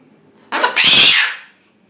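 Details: Pet Triton cockatoo indoors while taking a shower: one loud, harsh, noisy screech lasting about a second, opened by a shorter rasping burst, in a small echoing room.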